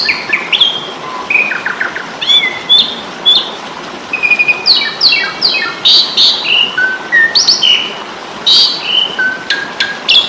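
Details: Asian pied starling in a fighting mood, recorded as a training tape for caged birds: varied whistles, rising and falling slurs and short chirps in quick bursts, with brief gaps between phrases.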